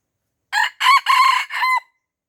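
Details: An Aceh red junglefowl, young birds around it and unwilling to fight, crows once: four separated bursts, a brief first note, two loud rasping central syllables and a fading tonal ending, nothing else audible.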